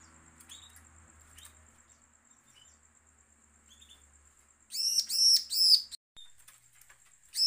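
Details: Bar-winged prinia's menacing call, used as a lure to make other prinias call. After a soft stretch with scattered faint chirps and a low hum, a loud series of three buzzy notes bursts out, and a fourth starts at the end.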